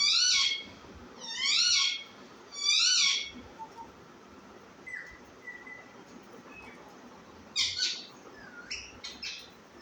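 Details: Baby parrot giving three loud, harsh, harmonic-rich calls with rising-then-falling arcs in the first three seconds, then softer short whistles and a few more sharp squawks near the end.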